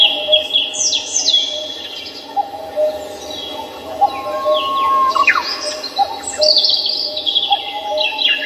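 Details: Morning birdsong in Samcheong Park, Seoul: several birds overlap with descending whistled phrases and bright trills, one long flat whistle mid-way, over a constant low drone.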